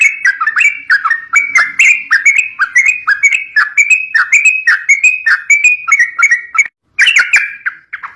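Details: A yellow-vented bulbul, called trucuk locally, sings to spur young birds. Eight seconds of brisk, gurgling warbled notes come in quick succession, broken once by a brief silence before a final burst.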